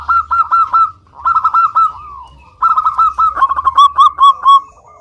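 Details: Local zebra dove in full song, used as a lure to get other doves singing: bursts of quick, rolling cooed notes on a steady pitch. Three phrases are separated by short pauses, the last one longer and more warbled.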